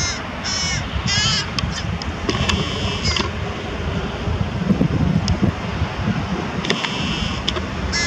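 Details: Carrion crow near Diemerbos, Netherlands, 22 July 2020, with prey while feeding young, gives harsh grating caws in short bursts, several early and more near the end, over low rumbling wind or traffic noise.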